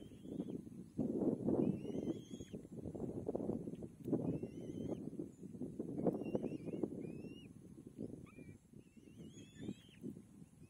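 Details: Thin, slurred whistles, some rising and some falling, come in irregular bursts from a young kite as its mother feeds it. Deep rumbling background noise runs throughout.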